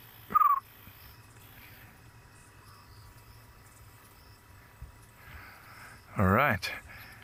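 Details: An African scops owl calling at night on safari gives one short, purring trill near the start, and a man's voice follows near the end over soft night insect hum; a fiery-necked nightjar also calls that night.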